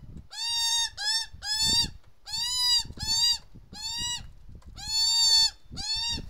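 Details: A mother magpie with her noisy fledglings: the young give nasal, bleating calls in quick succession, about eight in six seconds, each slightly arched in pitch, over faint low rumbling.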